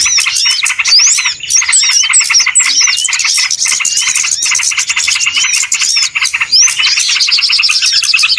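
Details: Lure sound of small birds for trapping, a crowded chorus of sharp chirps, fast twitters and swooping whistled notes, overlapping without pause for the whole stretch.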